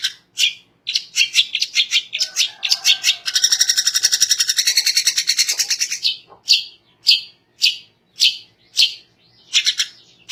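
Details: Long-tailed shrike in full song to provoke rival shrikes: scratchy chattering phrases building into a fast, buzzy rattling trill lasting about three seconds, followed by loud harsh notes repeated roughly every second.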